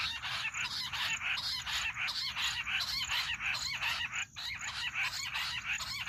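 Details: Jungle bush quail calling, a sound used for hunting: an unbroken, loud, rhythmic chorus of harsh, shrill notes repeated quickly, pausing only briefly once, with a steady high whine behind.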